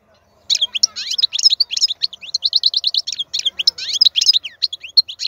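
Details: European goldfinch, a wild bird said to have an exceptionally powerful song, pouring out rapid tinkling twitters and liquid trills after half a second of quiet, continuous and high-pitched with no other sounds.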